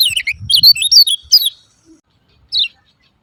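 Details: Lemon-bellied white-eye calls used to coax silent birds into singing: a hurried burst of high, slurred chirps lasting just over a second, a pause, then one more short high chirp.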